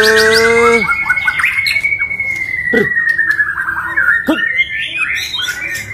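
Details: White-rumped shama, locally called murai batu, entered in an online singing contest: opens with a rich harmonic whistle, then a long steady whistled note runs under busy chirps, sharp clicks and quick slurred phrases.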